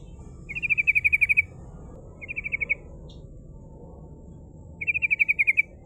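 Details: Rolling 'ngerol' song of a female sooty-headed bulbul, a lure for rival birds: three rapid chattering trills of bright identical notes, long, short, then long again, separated by quiet gaps.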